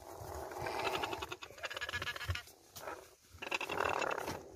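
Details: About 100 blue-fronted parrots (Amazona aestiva xanthopteryx) found by police crammed in a car boot in high temperatures, Chaco, Argentina, 12 January, squawk harshly at once: a dense, overlapping chorus of rough, broadband screeches with brief lulls.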